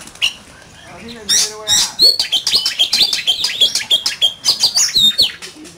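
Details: A human voice briefly at the start, then an oriental magpie-robin in competitive song with a fast, steady series of short whistled and chipping notes, several per second.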